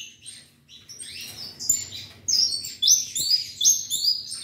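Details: Song of a bred ultramarine grosbeak: starts softly, then builds into loud, bright, high whistled notes in quick repeated bursts, some sliding downward.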